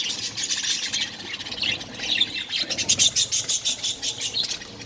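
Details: Budgerigar chicks of varied colours in a nest within a breeding colony, making a dense, continuous high chatter of rasping squeaks and pulsing chirps, with no pauses.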